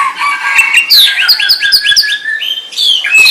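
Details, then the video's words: White-rumped shama delivering a rapid series of repeated descending whistled notes in a fast rhythmic run, framed by warbled phrases at lower and higher pitch. "SUARA MURAI BATU"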